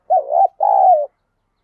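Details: Spotted dove kept as a decoy bird to lure wild doves, giving a clear two-part cooing phrase: a wavering low coo followed by a longer, steady, slightly falling coo, with no other sounds.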